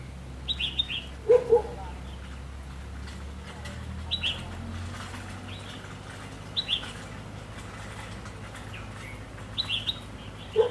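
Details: Red-whiskered bulbul heard during a bird-trapping session on 3 October 2016: short warbled, slurred phrases recur every few seconds, with a few lower clipped notes and steady low hum behind.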